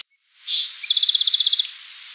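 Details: Song sparrow singing: a bright burst of high notes, then a rapid, even trill of about a dozen buzzy pulses lasting under a second, with faint background hiss.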